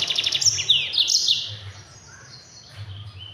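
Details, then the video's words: Fast, packed tutor song of a Mozambique canary (Yellow-fronted canary) for other birds: a brief loud run of high buzzy trills and sweeping notes in the first second and a half, then quieter faint notes. "Mozambik Gacor Speed Rapat NGEROL PEDAS untuk masteran!"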